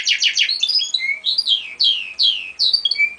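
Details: European goldfinch x canary hybrid singing, recorded in 2000: a fast, high, twittering song of quick buzzy trills broken by sweet whistled notes sliding down, continuous and varied.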